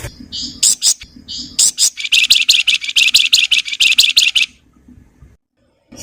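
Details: Flowerpecker in full song: a few sharp high chips and short buzzy phrases lead into a long, fast, rattling nyerecet chatter of harsh high notes, which then stops abruptly.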